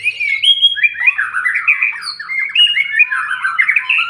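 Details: White-rumped shama after its moult, being brought gradually into fighting mood: a loud, varied song of rich whistles, rapid warbling trills and squawky notes flowing without a break.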